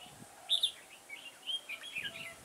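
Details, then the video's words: Red-whiskered bulbul decoy singing during trapping on 9 October 2017: a loud, clear whistled couplet, then softer slurred, warbling notes rising and falling. "Bẫy chào mào Đầu gấu nhất vườn"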